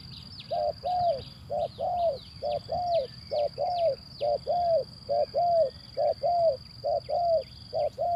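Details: Male zebra dove lure recording used to prompt doves that won't sing: low cooing notes in short-long pairs, repeated steadily about once a second throughout, over a constant high thin whine and a low background rumble.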